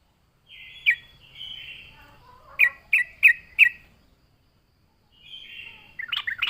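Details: Yellow-vented bulbul singing as a lure: a soft, drawn-out warble, then four evenly spaced loud chips, then a final burst of chattering notes.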